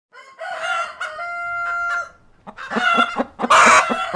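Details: Cockerel and hens on a farm: harmonic, wavering drawn-out calls and steady held tones, followed by a run of quick, rhythmic clucks that ends in a loud, harsh squawk.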